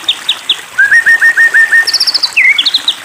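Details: White-rumped shama song used as a lure to provoke another shama into singing: a few high notes, then a run of six slurred rising whistles, a rapid high trill, and sharp upslurred chirps.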